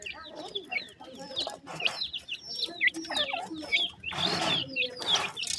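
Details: Young grey francolin (dakhni teetar) chicks making repeated thin, high peeps that drop steeply in pitch, several birds overlapping, with hissing rustle and scraping noises between calls.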